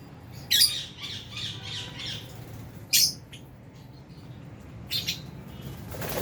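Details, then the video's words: Albino and Fisher's lovebirds in an aviary colony, giving three short, harsh, high chirp bursts at about two-second intervals over a low background hum. "Lovebirds Chirping Sounds"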